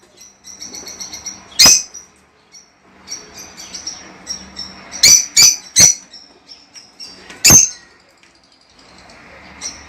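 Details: Lovebirds heard on a recording played to encourage breeding: busy high-pitched chirping and twittering throughout, broken by several loud, sharp shrieks, some in quick pairs, with soft rustling between.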